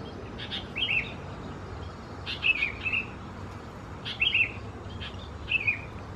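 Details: Juvenile Sooty-headed Bulbuls at Khao Yoi, Phetchaburi, Thailand, June 2020, making scratchy, slightly buzzy chirps that dip in pitch, some doubled, in clusters roughly every one and a half seconds against quiet hiss.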